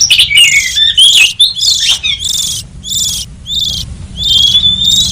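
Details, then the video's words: Oriental magpie-robin song played to attract wild birds: varied fast whistled phrases and slurred notes at the start, then harsh buzzy bursts separated by brief pauses, ending in a long level whistle; faint low hum beneath. "Suara pikat burung kacer liar hutan ampuh"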